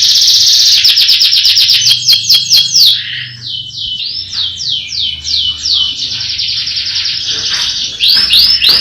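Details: Canary singing a powerful roll song: high, rapid trills of sweeping notes repeated several times a second, shifting between fast falling sweeps and steady buzzy rolls, with faint low background hum.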